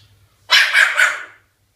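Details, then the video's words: One loud, raspy bark of three quick pulses from a pet cockatoo mimicking a dog, preceded by a faint low hum indoors. "Cockatoo Amber, the barking bird"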